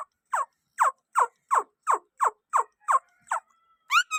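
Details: Rose-ringed parakeet uttering a steady series of nine short, downslurred, mid-pitched notes spaced evenly about every half second, ending with a higher rising squeak; quiet background.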